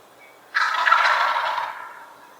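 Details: Turkey gobble: a single loud, rattling burst starting abruptly and fading over about one and a half seconds, in otherwise quiet surroundings.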